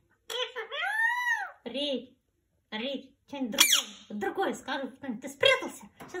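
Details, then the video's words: Pet talking rose-ringed parakeet chatters in a high, nasal, speech-like voice during play with a person: a long squeaky rising-and-falling syllable, then quick clipped word sounds, mixed with the person talking. "Говорящий Ожереловый попугай"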